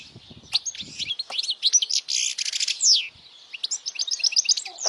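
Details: European goldfinch singing strongly, used to stimulate young goldfinches to sing and to attract females; bright twittering phrases with a dense buzzy trill, liquid slurs and a closing burst of quick repeated chirps, faint low knocks early on.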